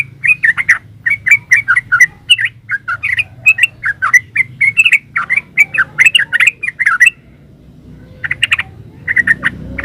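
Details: Yellow-vented bulbul giving vigorous 'ropel uplik' song, intended to make other bulbuls reply: long steady stream of liquid, rollicking notes, then a pause and a few final sharp chirps amid low background noise.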